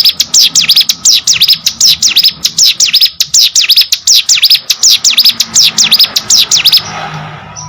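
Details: Hill prinia sings a long, even series of high, piercing zigzag chirps for nearly seven seconds, then stops, leaving soft background noise.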